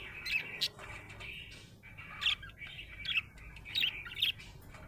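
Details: Happy budgie chattering in a rolling, mid-pitched warble broken by loud, sharp chirps roughly every half second to second, some in quick pairs.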